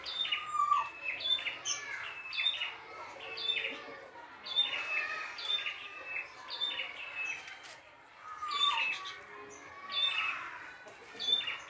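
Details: Wild prinia singing energetically in the open: short bright chirped phrases with quick downward-stepping notes, repeated about once a second, over faint background noise with occasional lower whistled slurs.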